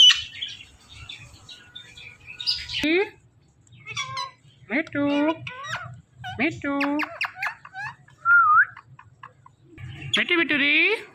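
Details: Indian ringneck parrot mimicking human speech, said to say its name: bursts of squeaky, voice-like syllables with stacked overtones, separated by short pauses, with a brief clear whistled note near the end.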